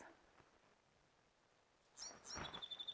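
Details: Bewick's wren (Thryomanes bewickii) song at Bamberger Ranch Preserve, Blanco County, Texas: after a quiet start, a few high, scratchy notes, then a fast, even trill of about eight pulses that ends the song.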